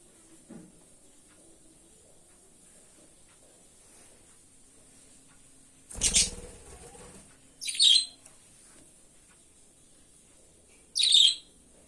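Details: Pet budgerigars flying around a room indoors give two short, bright, scratchy chirps a few seconds apart, after a burst of wing flutter.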